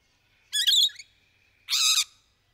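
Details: A rainbow lorikeet's courtship mating call: two loud, harsh, grating screeches about a second apart, each roughly half a second long, over near silence.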